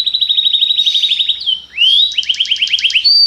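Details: Belgian canary sings a popular song: a steady fast trill, a dip and a long rising whistle, then a bouncy trill of paired notes and a final bright flat whistle.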